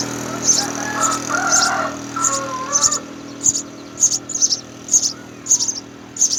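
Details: House sparrow parents feeding their three nestlings: lower chirps open, then sharp high begging notes repeat about every half second over faint background hum.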